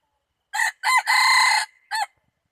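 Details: A red junglefowl crows on 24 February 2019 in a loud, clear four-part phrase. A short note and a doubled syllable lead into a long strained middle note, and a brief final note ends it. The background is silent.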